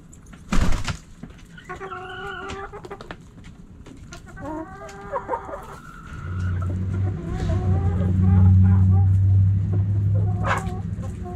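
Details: Backyard hens and roosters pecking and scratching; a sharp knock, then runs of soft clucks, followed by a swelling low engine-like rumble in the second half.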